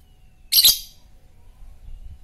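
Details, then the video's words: Lovebird of the fighter type, in a recording used to stimulate other birds, giving a single short harsh, very high squawking burst against a quiet background. "lovebird fighter ngetik merangsang ngekekk"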